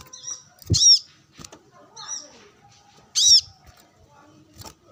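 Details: Brown-throated sunbird calling rivals during sunbathing alongside wild birds; two strong high sharp chips with softer high twittered notes in between and a low thud.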